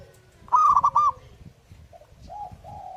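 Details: A zebra dove in lively song gives one rapid, rolling phrase of pulsed coos ending in a slur, followed by quieter drawn-out coos over light background noise.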